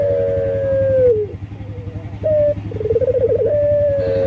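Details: Local collared dove male in full breeding condition calls for a female: sustained low cooing notes that slide down, then a short rolled, pulsing coo, with a steady low mechanical drone beneath.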